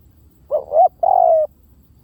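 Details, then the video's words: Decoy cooing of a spotted dove: one phrase made of a brief bumpy double note, a short pause, then a drawn-out mellow croo that sinks a little at the end, with little other sound. "เสียงนกเขาใหญ่!! เสียงต่อ!"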